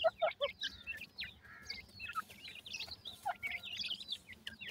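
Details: Partridge chicks, described as baby pheasant or partridge chicks showing a strange teetering movement, give many short high peeps, some sliding up and others dropping, overlapping in a busy chorus with a few lower chirps at the start.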